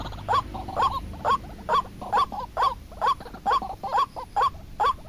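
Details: Lure for trapping white-breasted waterhens: evenly spaced rising call notes, each followed by a softer short echo note, about two per second.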